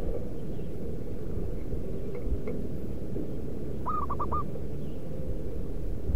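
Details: Wild local zebra dove, calling as bait for other doves: after a few seconds of low rumbling noise and faint taps, a single phrase of four soft hooting coos.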